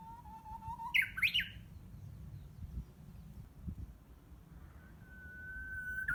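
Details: Around June, a hidden Japanese bush warbler in greenery behind a house practises singing: a level whistle leads into a sharp, twisting flourish of higher notes, followed by quiet and then a new drawn-out whistle.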